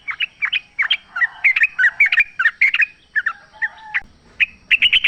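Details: Free-living sooty-headed bulbul pouring out a continuous chattering song of quick, bouncing, liquid notes with a few drawn tones, ending in clipped bright chirps; meant to stir a kept bird to reply.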